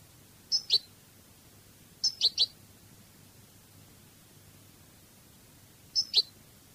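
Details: European goldfinch in a Cádiz-style recording uttering short clusters of two or three high, sharp chip notes, spaced several seconds apart over faint background hiss.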